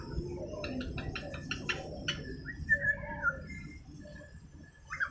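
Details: A young lutino cockatiel chatters in rapid, buzzy notes, then gives short whistled chirps copied from outside sounds.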